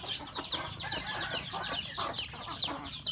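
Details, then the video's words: Home-kept rural chickens, roosters and a hen, at breakfast; bright falling peeps come a little over twice a second, somewhat irregular, over a low murmur of feeding clucks. "Beautiful sound of chicken eating breakfast, Roosters and Cutest hen"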